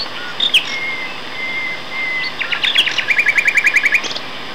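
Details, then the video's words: Two male nightingales in song at Castor Hanglands, near Peterborough, in May 2012: long, pure drawn-out whistles, then a rapid, even rattle of about a dozen repeated chipping notes, with distant hissing noise behind. "Nightingale Duet"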